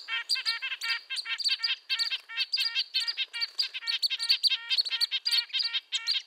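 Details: Red-breasted nuthatch calling: a dense run of short, high, nasal tin-trumpet notes, each a stacked harmonic toot, repeated several times a second in uneven bursts, with no other clear sounds.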